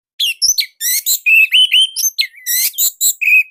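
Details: Indonesian orange-headed thrush in loud, continuous song: a rapid run of varied notes mixing sharp high chirps, buzzy rasps and sweet slurred whistles, closely packed with barely a pause.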